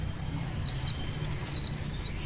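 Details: Wild white-eye singing in the morning, held for a year: a run of high, thin chirped notes, each sliding downward, repeated about four times a second after a brief quiet start.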